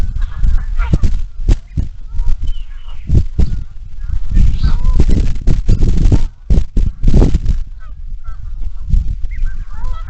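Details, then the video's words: Geese honking on the marsh at Iroquois National Wildlife Refuge, morning, many geese and ducks around, captured by the Bald Eagle camera: scattered nasal honks throughout, amid bursts of heavy low-pitched rumbling and crackle. "INWR-Morning sounds of the marsh geese and ducks"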